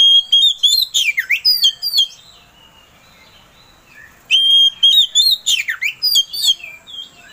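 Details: Provoking song of an Oriental magpie-robin: two loud bursts of ringing whistles and steep downward-swooping buzzy notes, separated by a quiet pause of about two seconds.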